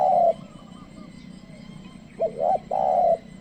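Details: Tame decoy spotted dove calling wild birds. The tail of a long hollow coo gives way to a pause, then a new phrase: two quick hoarse rising notes and a drawn-out, even coo.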